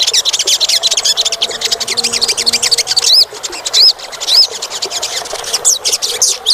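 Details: Olive-backed sunbird (sogok ontong) song played to prompt a quiet caged bird into singing: fast high twittering runs with a few clear rising-falling whistled notes in the middle.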